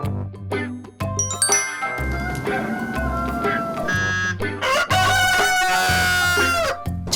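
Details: A rooster inside a building gives a long, drawn-out crow that falls away at the end and sounds like a cry of 'help', possibly through wall echoes. It is half-buried under upbeat music with a steady thumping bass.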